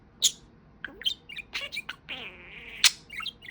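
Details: Pet budgerigar talking, a talking parakeet saying "Peeka-Chickens": quiet, broken chatter of short scratchy syllables and chirps with a brief sustained buzzy note and a sharp high chirp.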